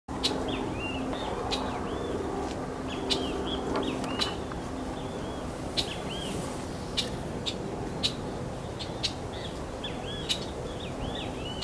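Scarlet-headed blackbird giving sharp chips and short slurred whistles, repeated irregularly, over a steady background of wind and a low hum.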